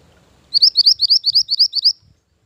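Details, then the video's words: Mantenan gunung bird song used as a lure and master song for training: a fast series of about ten high, sharply rising chirps, evenly spaced and bright, lasting about one and a half seconds over faint low rumble. "Mantenan Gunung Pikat Gacor"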